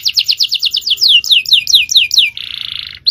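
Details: Canary in full 'cengkok jawara' champion song, used as a master recording to train other birds. A rapid trill slows into separate sweeping downslurs, then a harsh buzzy rattle near the end.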